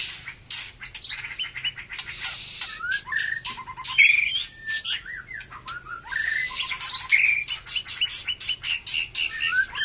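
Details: After its moult, a White-rumped shama pours out a busy song of sweet whistles, rising slurs and rapid note series, heavily mixed with scratchy chatter and noisy high bursts.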